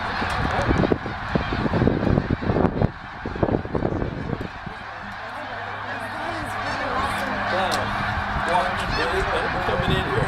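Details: Snow geese at Middle Creek Wildlife Management Area, PA, 2012, flying from a feeding field to the lake for the night: loud rumbling noise at first, then a clear, dense chorus of yapping honks with a low hum underneath.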